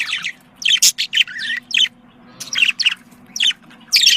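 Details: Domestic budgerigars giving mating chatter to prompt breeding, short bursts of scratchy squeaks and whistled chirps separated by brief quiet gaps, a faint low hum beneath.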